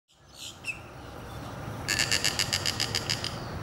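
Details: Snail kite at Lake Tohopekaliga, Kissimmee, Florida, giving a dry, grating cackle of about a dozen rapid harsh notes in under two seconds, after a brief thin note, over a low steady rumble.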